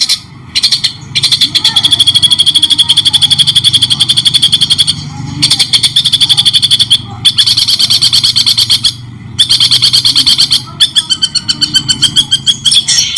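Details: Shrike-style song of a White-rumped shama, recorded clearly for bird training: long buzzy, very rapid trills broken by short silences, ending in separate clipped notes.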